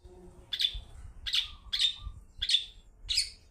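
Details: Long-tailed shrike, a 'toet toet' lure song meant to make other shrikes answer and sing: five harsh, buzzy, broadband notes, one roughly every 0.6 to 0.7 seconds, over a faint low hum.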